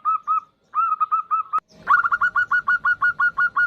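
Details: Female zebra dove of local stock calling a male, a lure sound: a few spaced short coos, a sharp click, then a faster, steady run of clipped repeated notes.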